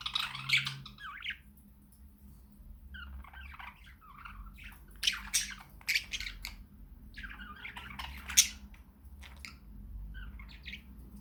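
Budgerigars warble in bursts of chattering, scratchy notes mixed with sharp high chirps.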